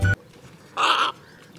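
A Western Reef Heron gives a single harsh, croaking squawk lasting about a third of a second, with a brief low thump just before it.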